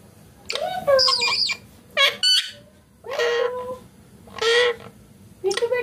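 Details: Indian ringneck parakeet, a green pet bird, speaking clear imitated words: five drawn-out, slightly nasal phrases with bending pitch, separated by short silences.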